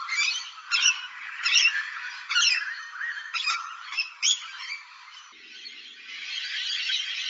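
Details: Rainbow lorikeets with a run of grating, raspy screeches, each short and loud, spaced unevenly over five seconds. A steady backdrop of overlapping shrill flock chatter follows.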